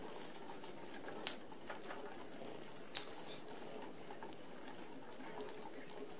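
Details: Red-browed finches feeding together at an open aviary feeder that excludes sparrows and larger birds, Australia; quieter scattered high, needle-thin tsee notes, some in quick pairs, with occasional clicks and flutter.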